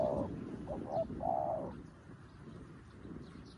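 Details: Decoy spotted dove, new to the job, calling wild doves. Short clipped notes and a long low coo rise from heavy rumbling background noise in the first two seconds, then only noise remains.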